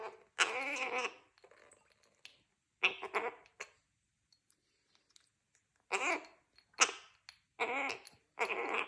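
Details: Young captive male Gang-gang Cockatoo, three and a half months old, native to Australia, chattering indoors while drinking after an afternoon of flight training: bursts of raspy, gurgling babble separated by short silences, with faint clicks.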